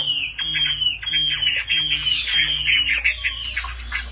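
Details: Fighting Chinese hwamei in display sings a continuous, dense stream of high twittering and warbling notes, almost without pause. A steady low hum runs underneath.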